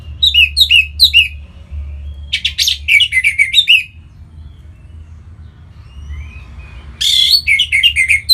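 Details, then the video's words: An orange-headed thrush (Geokichla citrina), from Singaraja in north Bali, sings rich, varied whistled phrases in quick bursts with short slurred and chattering notes, split by a pause of about three seconds, over a low hum. "Punglor Merah Lagi Berkicau"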